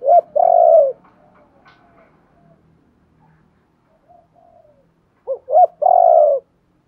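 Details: Spotted dove calling to encourage wild-caught birds to call: a long falling coo ends one phrase, then quiet soft coos, then a full phrase of two short rising coos and a long loud coo.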